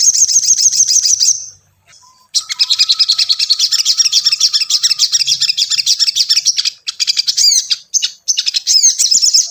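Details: Tailorbird lure recording for prompting a caged bird to sing: shrill rapid chattering trill, brief pause, then a long unbroken run of fast high-pitched repeated chirps with sharp rising notes near the end.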